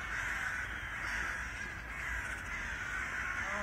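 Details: Eurasian magpies fighting, giving a continuous harsh, rasping chatter that runs without pause in a dense, scratchy stream throughout.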